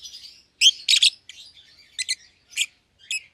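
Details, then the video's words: Young lovebird pair caged together, euwing green opaline and albino; quick loud chirp doublets followed by fading, spaced single chirps. "Lovebird Chirping Sounds"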